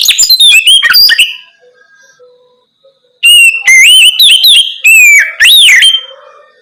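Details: Night-time Oriental magpie-robin song played to coax young birds into singing back; loud varied phrases of clear whistles, sliding and looping notes, with a quiet gap of about two seconds between bursts.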